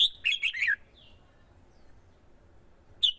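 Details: A female excites a male red-whiskered bulbul into competitive singing meant to lure wild birds. One rapid, bright warbled phrase, then a soft trailing note and a long pause before a single loud note at the end.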